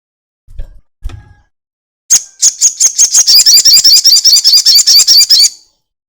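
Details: Two soft low knocks, then a crested jay launches a long chatter used as a lure for other birds: a fast, high, metallic rattle of many repeated notes running over three seconds.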